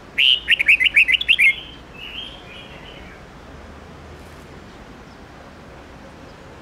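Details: Mature wild-style red-whiskered bulbul song, played so that young birds learn it. A rapid run of about eight clear, whistled notes lasts just over a second, followed by a softer trailing warble, then quiet ambient noise.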